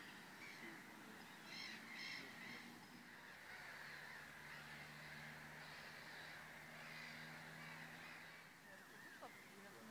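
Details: Black-winged stilts at Vrbenské ponds, České Budějovice, on 11 June 2016 give sharp, nasal yapping calls, repeated quickly and overlapping, over a steady low hum and a background of other bird chatter.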